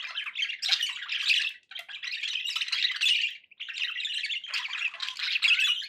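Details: Budgerigars kept as pets chatter in long bursts of rasping, buzzy twitters, with two short breaks between the phrases.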